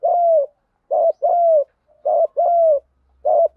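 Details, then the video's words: Spotted dove 'đồng gù đấu' fighting coo for luring wild birds: steady low mellow notes in close pairs, a clipped note then a drawn-out slightly falling one, repeating rapidly and loudly against silence. "Chim cu gáy giọng đồng gù đấu liên tục dúp bổi ức chế rất cao"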